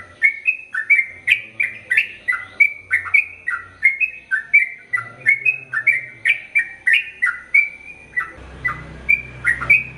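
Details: ['Long rapid-fire ropel panjang song of a lively Sooty-headed bulbul, a training recording for male and female birds; continuous bubbly whistled phrases rise and fall, and a burst of rustling noise enters near the end.']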